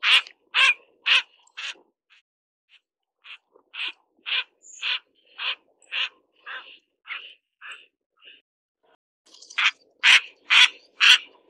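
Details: Mandarin duck filmed mating, giving a long series of short harsh calls about twice per second, loud at first, fading to softer, quieter notes midway, then a loud burst of four calls at the end.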